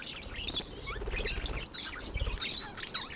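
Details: Tame budgies giving rapid squeaky chirps and short warbles, several birds overlapping, with low rumbling thuds underneath.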